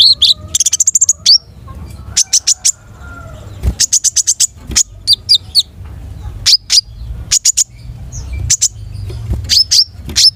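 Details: Rich, energetic long-tailed shrike song: quick trilled series of high notes alternating with single sharp chips and whistles over about ten seconds.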